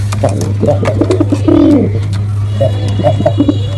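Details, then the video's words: Low guttural cooing from a male pigeon in performance, one sustained arching coo in the middle framed by shorter muffled coo notes and light tapping sounds, a steady deep hum throughout. "Male Pigeon Super Performance || Male Pigeon Sound"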